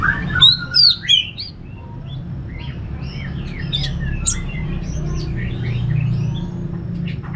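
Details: Anis merah (orange-headed thrush) ngeplong song. Loud whistled and slurred notes in a quick burst are followed by softer, varied warbling phrases, with a continuous low hum in the background.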